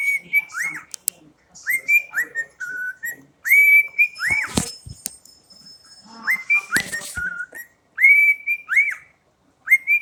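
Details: Pet cockatiel whistling in bright, clear notes at a steady pitch. Many notes end in a quick downward slur. The whistles come in bursts of two to four with short pauses, along with a few sharp clicks and soft rustles.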